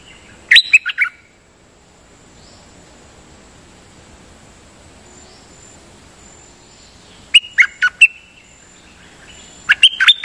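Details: Sooty-headed bulbul singing as a decoy, a champion bird rarely brought out, repeating its phrases: a short burst of sharp whistled notes, a long quiet pause, then two more quick whistled bursts.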